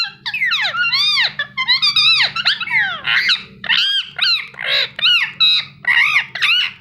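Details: Indian ringneck parakeet kept as a pet, giving a rapid, busy run of squeaky chirps and harsh downward-sweeping notes, nearly continuous with short gaps, over a faint constant low hum.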